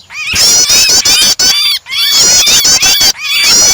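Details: Prinia calls blended with a trapped bird's distress cries as a starter for other songbirds: shrill, buzzy, overlapping squeals with rising and falling inflections, loud throughout apart from two brief dips.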